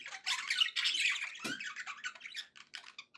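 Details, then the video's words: Happy budgerigar chatter from pet birds: a loud burst of rasping warbles and squeaks fading into quieter, quick twittering notes. "happy budgie sounds"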